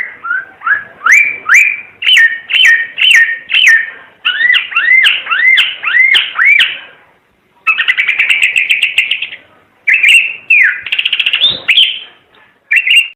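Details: Singing Timor red-eyed bird: repeated rising-and-falling whistled notes roughly twice a second, a rapid rattling trill, then more slurred whistles.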